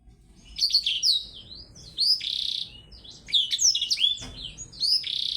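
A black-throated canary sings in fast bursts of high, twittering trills and sweet slurred notes, with a second small bird chipping in between phrases.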